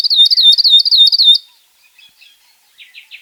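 Northern grosbeak-canary giving a quick run of bright, high chirps for just over a second, followed by a few faint, scattered notes.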